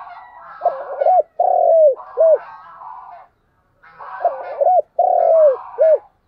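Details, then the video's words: Decoy spotted dove calling in the morning to draw wild doves close, giving two full coo phrases, each a stuttered start, a long falling coo and a short end note, with buzzy chatter before each. "Cu gáy mồi gáy gọi buổi sáng"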